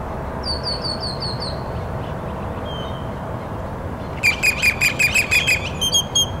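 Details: Loud grackle calling: a run of high squeaky whistled notes, then a burst of about seven harsh, sharp squawks repeated quickly, followed by more thin squeaky notes over steady low background rumble.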